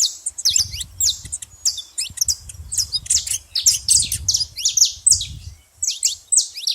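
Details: A noisy group of saffron finches at a feeding spot gives steady, high, bright chirps that overlap in quick succession, over a background of low muffled thumping.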